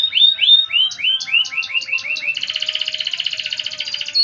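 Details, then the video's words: Canary singing in the prized gacor cengkok mewah style: a run of bright, rising whistled notes that speed up, then break into a fast, even buzzing trill for the second half. "Suara Burung Kenari Gacor cengkok mewah"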